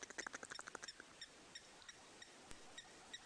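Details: Egyptian geese at a waterhole make a strange tick-tick-tick noise with their beaks while searching through the water: a quick burst of sharp dry clicks in the first second, then scattered single ticks.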